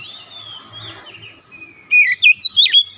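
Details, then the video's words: Oriental magpie-robin song for training young birds toward rapid bursts: a soft drawn-out whistle, then a short loud series of five looping whistled notes. "TERAPI KACER BAHAN CEPAT NEMBAK RAPAT"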